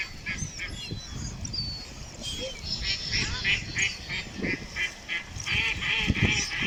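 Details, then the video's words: Loud, rapid series of harsh, nasal duck calls, several per second, growing more intense toward the end, with low rumbling noise in the background. "Ducks with Natural Sound."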